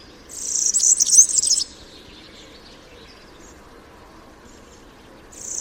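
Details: European Serin song, typical and diagnostic for the species: a single hurried, high, tinkling twitter of about a second and a half, then near silence with a faint low hum, and a new burst starting at the end.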